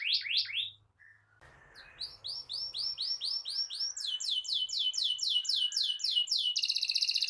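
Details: Singing canary used as a master song for young birds and as a lure for canaries that stopped singing: a few rising notes, a faint whistle over low hum, then steady repeated swept notes building to a buzzy roll.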